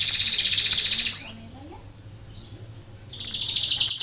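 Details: Canary song meant to stimulate lazy canaries into singing: a dense, high rapid trill ending in an upward sweep, a silent gap of about two seconds, then another fast buzzy trill resumes.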